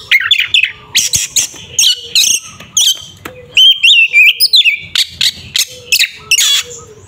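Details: Caged Oriental magpie-robin in fighting song meant to provoke a rival, pouring out harsh rasps, sharp chips and a few sweet slurred whistles in quick, uneven phrases.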